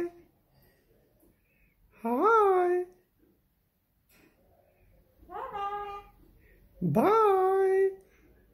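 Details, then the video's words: Talking parrot indoors producing three loud, strongly tonal speech-like utterances, each rising sharply then leveling off, separated by quiet pauses of a few seconds. "Best talking parrot"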